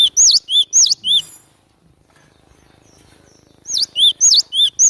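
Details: Cinereous tit lure song: three quick pairs of high rising and lower arched whistles, a quiet spell of faint background, then another run of four ringing pairs.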